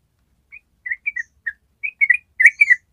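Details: Yellow-vented bulbul starting a 'ropel' trill meant for training other birds. Sparse soft whistled notes build into a faster, louder chattering cluster of slurred phrases over three seconds.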